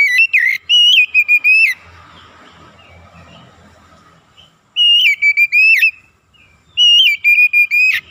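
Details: Oriental magpie-robin song for luring and exciting other birds: rapid groups of loud, level whistles with sharp upward kinks, each burst about a second long, broken by soft hissy gaps.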